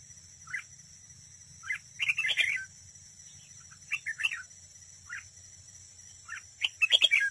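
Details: Red-whiskered bulbul used as a decoy in trapping, singing in competition, recorded close up: bright, bubbly warbled phrases in bursts about every two seconds, with lone short chirps between them, over a constant high hiss.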